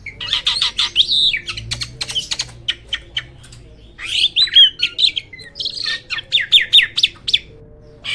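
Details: Black-winged starling, a bird described as rarely seen in the wild, giving bursts of sharp, scratchy chirps and short whistled notes in quick runs, with a brief pause between two busy phrases.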